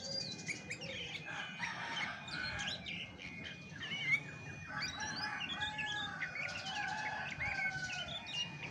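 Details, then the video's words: Original song of a chestnut-backed thrush: a long, varied warble mixing high whistles, downward slurs and clear sustained notes, with a loud accent around midway, over a constant background tone. "SUARA ASLI ANIS MACAN TAPA MASTERAN"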